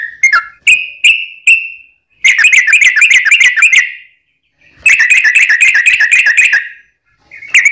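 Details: Song of a sooty-headed bulbul used as a lure to get other birds singing: a few separate clear whistles, then two bursts of rapid chattering warbled notes, each burst lasting about two seconds.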